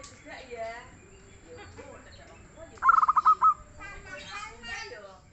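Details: Soft-voiced, frequently singing local zebra dove: a single quick series of clipped cooing notes in mid-clip, surrounded by murmuring background voices and other chirps.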